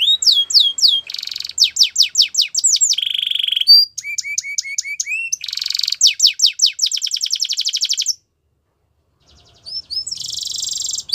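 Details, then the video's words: A Russian canary sings for training: fast, high-pitched runs of rolling trills, whistled swoops and buzzy repeated notes, stopping briefly before a final rattling phrase. "Russian Canary Singing"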